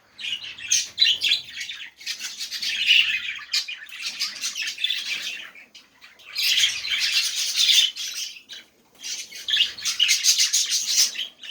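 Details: Budgerigar song for prompting silent budgies, heard in four bursts of dense, scratchy chatter and clicks separated by short quiet gaps.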